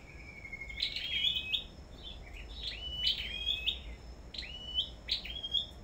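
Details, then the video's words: Sâu đầu đỏ songbird at a bird farm singing competition, repeating crisp whistled phrases that rise sharply then flatten into a held high note, in groups of two or three, over a quiet low hum. "Sâu Đầu Đỏ Hót Đấu Đủ Loại"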